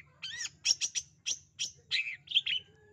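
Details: Long-tailed shrike known as pentet, calling to encourage a quiet or shy shrike to sing: about seven harsh, rasping chattered notes spaced roughly a third of a second apart, with a faint low hum.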